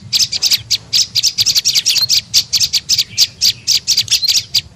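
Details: A prenjak lumut tailorbird lure call to attract birds. Harsh, high, clustered chirps come in quick uneven bursts, several per second, over a soft low hum.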